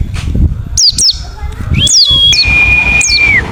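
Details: Wild forest white-eye call used to lure other white-eyes to respond: paired high, falling chirps, then more chirps joined to long, flat, thin whistled tones, over low rumbling noise.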